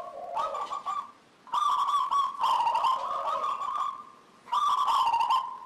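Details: Zebra dove of local stock singing energetically, a recording meant to draw other doves into song: three phrases of fluttering trilled coos, the first starting from a lower purr, parted by near-silent pauses.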